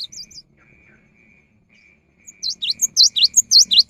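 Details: Cinereous tit singing in the afternoon, a song said to prompt other tits to join in: after a quiet stretch with a faint steady tone, a fast run of loud, high, V-shaped whistled notes starts up and repeats.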